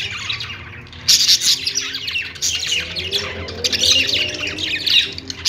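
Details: Pet budgies singing on a perch, a quieter start giving way after one second to loud bursts of scratchy warbles, squeaky chirps and rapid trills that come in overlapping waves from more than one bird.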